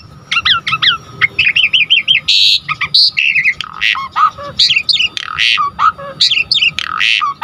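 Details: Asian pied starling song meant to stir other starlings into singing: a rapid string of chattering whistled notes, buzzy bursts and sharp slurred calls, delivered almost continuously.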